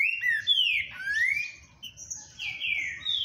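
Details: Green-winged saltator, described as a very spirited singer, pours out rich whistled notes, long downward slurs and rising phrases in close succession, loud and continuous with almost no gaps.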